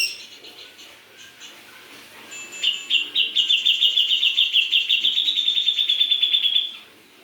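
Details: Grey-cheeked bulbul singing freely with a carrying voice: a few soft scattered chirps, then a long, fast, buzzy trill of high rattling notes lasting about four seconds, held at an even pitch before it stops.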